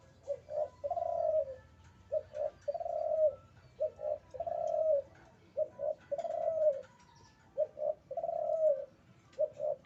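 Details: Spotted dove, a male in breeding condition, cooing steadily: each phrase is a quick double note followed by a longer descending hoot, repeated five times in a regular rhythm with a quiet background.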